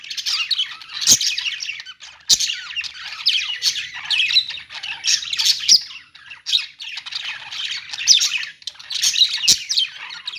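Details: A crowd of budgerigars in a pet store, chattering in scratchy, warbling waves broken by short pauses and occasional sharp clicks.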